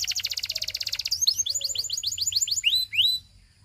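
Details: Song of a Belgian canary: a brisk rolling trill of evenly repeated notes for one second, followed by a series of clear rising whistled chirps that fade into quiet.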